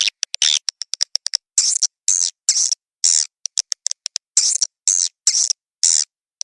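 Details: Swiftlet lure call of the birahi (mating) kind, meant to attract swiftlets: short, raspy high chirps and ticks, with longer buzzy notes coming in loose bursts between silences.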